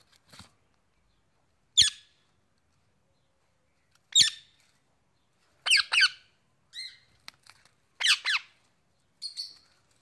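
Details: Male pet Indian ringneck parakeet calling to his mates with sharp, rasping squawks. They come singly or in quick doubled bursts every one to two seconds, with short silent gaps between them.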